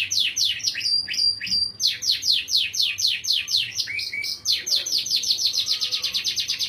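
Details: Canary in continuous melodious song with ornamented phrasing: rapid, high trilled rolls of repeated sweeping notes, shifting between faster and slower trills, with a brief rising whistle midway and a faint low hum beneath.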